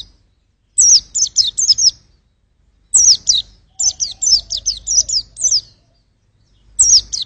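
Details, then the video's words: White-eye singing short bursts of high, rapid chirped notes in clusters, each phrase a quick string of sharp descending-rising twitters, repeated with pauses between; faint low background rumble. "pleci buat ngetes vokal"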